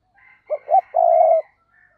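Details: Spotted dove used as a decoy for luring doves, voice style giọng thổ sấm; a faint intro, two quick punchy low notes, then a sustained loud coo of nearly half a second.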